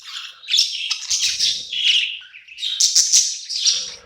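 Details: Night-time budgie song in a new home: steady scratchy warbling laced with thin, high squeaks and sharper chirps toward the end.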